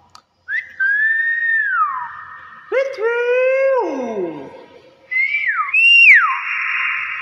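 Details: Hill myna imitating sounds indoors: long level whistles that bend downward, a burst of stacked falling tones, then a high whistle that climbs and drops sharply.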